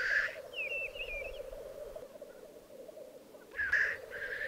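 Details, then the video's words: Black grouse displaying at a lek in the Piedmont Alps in 2022: a steady low bubbling drone runs throughout, broken by harsh hissing sneeze-like bursts at the start and near the end, with a thin wavering whistle early on. "Parate dei Galli Forcello"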